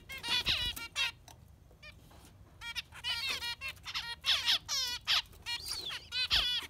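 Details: Yellow finch pouring out a cheerful song of quick rising and falling chirps, rattling trills and sharp twitters in short energetic bursts, separated by brief pauses.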